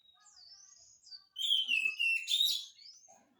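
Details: Oriental magpie-robin singing actively as a prompt for lazy singers: a thin high whistle, then a strong, rich phrase of gliding, overlapping whistles lasting about a second and a half.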